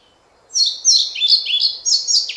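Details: European pied flycatcher delivering a single loud, rapid song phrase of bright, clear high notes, each slurred and slightly varied, running nearly two seconds over faint hiss.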